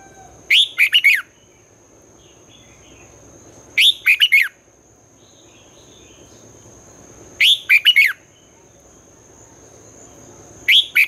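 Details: Red-whiskered bulbul morning song in the twisting style, used to train young birds and spur contest singing: short, sharp whistled phrases repeated every three to four seconds against a constant faint high tone.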